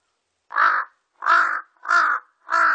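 A large-billed crow gives four harsh, hoarse caws, each about a third of a second, spaced roughly every two-thirds of a second against a silent background.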